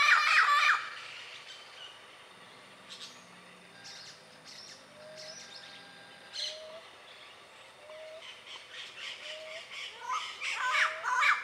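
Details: Wild Yellow-naped Parrots calling in Costa Rica's dry forest: loud, harsh, raspy squawks in bursts at the start and end, with a short clear whistle from another bird repeated about every one and a half seconds between them.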